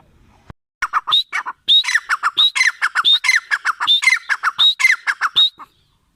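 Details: Grey francolin (teetar) gives a run of loud ringing phrases after a short pause. Each has a sharp high whistle and then lower harsh notes, repeated rapidly for about four seconds before stopping.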